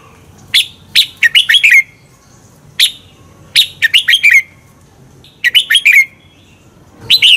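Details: Red-whiskered bulbul double-twist song used as a lure in competition training: phrases of sharp chirps building into quick slurred notes that fall at the end, repeated every few seconds.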